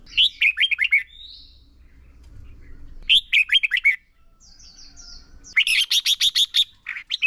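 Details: Red-whiskered bulbul decoy used to train contest singing repeats a lively phrase of slurred whistled notes twice about two seconds apart, then breaks into a run of harsh buzzy chatter notes.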